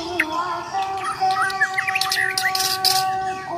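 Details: Bornean white-rumped shama fighting song: varied whistled and slurred notes with short chirps, rising and falling between phrases, over steady droning tones in the background.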